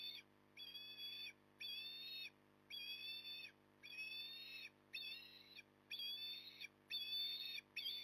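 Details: Osprey recorded at Port Lincoln on 9 October 2020 at 08:23, giving a steady series of whistled, slightly rising calls with bright overtones, about one per second, over a constant low hum.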